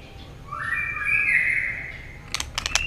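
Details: White-rumped shama, fired up and singing competitively in many voices with a 'string voice' style: a long, sustained whistle rising and then gently falling, followed by a quick burst of sharp clicking notes.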